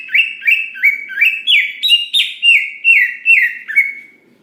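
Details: Greater green leafbird in prolific song, meant to provoke other leafbirds into singing quickly: a steady series of about eleven bright, slurred whistles, each sliding downward, repeated roughly every third of a second before trailing off.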